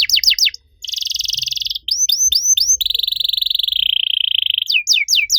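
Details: Canary master song for prompting other canaries that have gone quiet to sing: quick falling sweeps, a buzzy trill, short upslurred notes, then a long steady rattling trill ending in fast descending sweeps.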